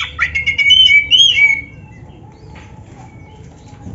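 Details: Oriental magpie-robin of the black-breasted form: a fast run of clear whistled and slurred notes for about a second and a half, then quiet with faint background hum.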